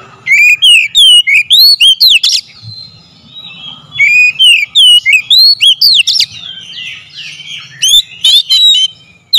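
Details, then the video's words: Kacer (oriental magpie-robin) singing in a lure meant to provoke singing: long runs of loud, varied whistles and quick upward and downward slurs, about a dozen notes per burst, with brief pauses. "SEKALI PANCING KACER LANGSUNG GACOR NAIK EMOSI"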